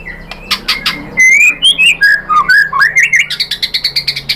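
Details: White-rumped shama song used to trigger singing in other birds: sharp chips, then flowing slurred whistles, finishing in a fast, even burst of high repeated notes.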